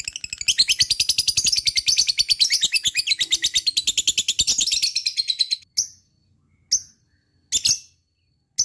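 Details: A lovebird sings ngekek, a song used to prompt other lovebirds to join in. A long, fast, high-pitched chattering trill runs for over five seconds, then four isolated sharp chirps follow at about one-second intervals.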